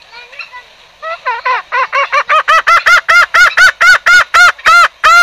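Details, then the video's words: Green junglefowl lure sound used for trapping: soft scattered notes, then a loud, rapid series of short nasal, arched honking notes, about one or two per second and quickening, strongly harmonic and very loud. "suara pancingan ayam hutan hijau"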